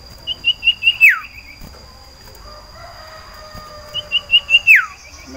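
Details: Caged breeding-condition sirtu iora calling for a female: a phrase of four or five rising high chips ending in a steep downward whistle, given twice about four seconds apart, with a faint lower tone between.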